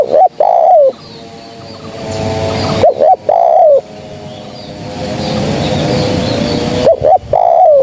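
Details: Spotted dove calling as a trapping lure: three phrases about three seconds apart, short paired coos leading into a longer sliding coo, with a soft hum between them.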